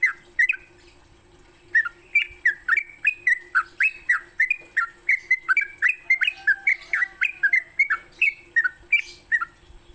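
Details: Sooty-headed bulbul singing at dawn as a lure for kept birds: after a short opening, a steady stream of mellow, slurred whistles repeated about three per second, pitch wavering up and down, over a continuous high hiss.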